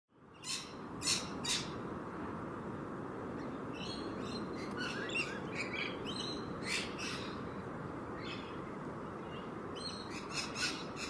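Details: Wild rainbow lorikeets playing on grass give harsh, screechy bursts, some single and some in short clusters, scattered irregularly over steady background noise.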